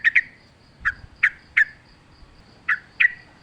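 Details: Yellow-vented bulbul in natural surroundings, singing in the wild style: loud harsh downslurred chirps, single or paired, spaced irregularly about every half second to a second.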